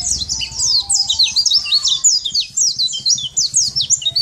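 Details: Champion Sunda white-eye giving loud, clear song as a tutor for other birds: rapid high notes sweeping down, in quick bursts of several notes with brief gaps, over a faint low buzz.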